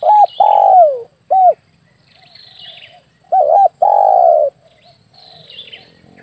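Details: Spotted dove hunting lure call: a long sliding coo and short note, then a doubled coo and long steady coo, with faint high chirping of other birds behind.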